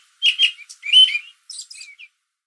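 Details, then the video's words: American robin sitting in a backyard tree in late afternoon, calling to other robins; quick run of bright, squeaky chirps followed by softer, higher trailing notes. "American Robin Afternoon Call"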